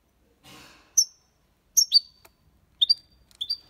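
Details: European goldfinch in clean copia Málaga song, used to stimulate young birds; a soft rustle, then sharp high downslurred chirps in pairs spaced about a second apart.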